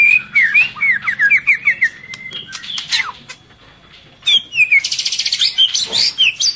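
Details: Female white-rumped shama in breeding condition calling for males while feeding its chick: a quick series of about eight short downslurred chirps, a pause, then more rapid chirps and buzzy trills.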